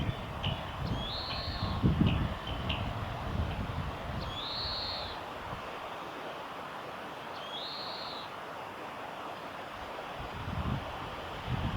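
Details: Oriental greenfinch song, 9 April 2022, nature observation garden of a conservation centre in spring: three long buzzy nasal 'jeeen' notes spaced several seconds apart, a few thin twitters early on, under constant low rumbling noise.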